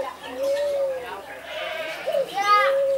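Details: A Barbary dove displaying in an aviary at a city farm in Alkmaar, Holland, gives long, soft, low coos, each a steady hollow tone, with a brief sharper note between them.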